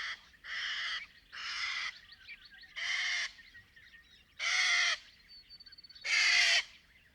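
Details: Little corella, a small cockatoo, screeching in Australia's outback at Paroo-Darling National Park: six loud harsh raucous blasts about a second apart, with softer chatter from other birds between.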